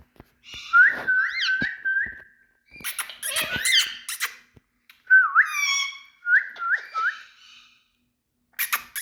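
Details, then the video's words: Big male Indian talking parrots give a series of short rising whistled notes, a burst of harsh, harmonic-rich squawks, then more quick upslurred whistles, with pauses between phrases, indoors. "Indian🌶Talking Parrots"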